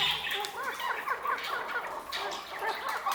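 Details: Pure Maskati chakor, a chukar partridge, giving repeated short clucking chuk notes with rising-falling inflections, overlapping calls from several birds, and hissy background noise with brief clicks.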